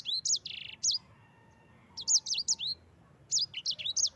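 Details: Master recording of a yellow-fronted canary for training other birds; high whistled notes and a brief buzzy trill, a quiet gap, then two lively phrases of rapid swooping chirps.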